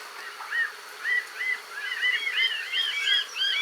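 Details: Iberian Magpie while bathing, Portugal: a chorus of short, clear, arched whistled notes, rising then falling, given in quick irregular succession by several overlapping birds, growing denser toward the end.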